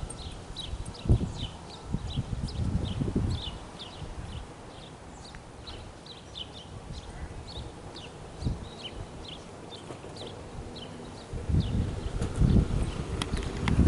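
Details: Street scene in Canada with house finches fighting: a steady run of quick, thin chirps repeats several times a second, partly covered by low rumbling thuds and knocks that rise again toward the end.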